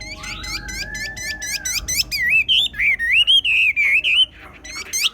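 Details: Chinese hwamei from the Ha Giang highlands of Vietnam, a kept songbird singing: a long sliding whistle, then a rich, warbling run of looping phrases over rapid repeated clicking notes, with a faint steady hum beneath.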